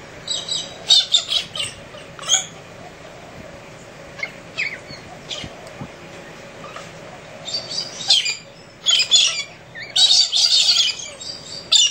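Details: Wild galahs at early morning in central Australia, noisy in their antics: rough, grating screeches tumble out in uneven clusters, some overlapping into longer harsh bursts, with short quieter gaps between groups.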